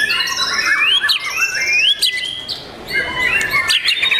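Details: Special young white-rumped shama delivering clear rising whistles that slide upward, mixed with ringing high notes and brief chattering phrases, a short pause near the middle.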